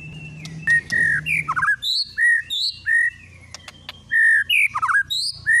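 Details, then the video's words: White-rumped shama lure song used to provoke another shama into singing its full repertoire: loud clear whistled phrases with slurred and rising notes, bursts of rapid chatter and sharp clicks, separated by short pauses. "PANCINGAN MURAI BATU TERDASYAT"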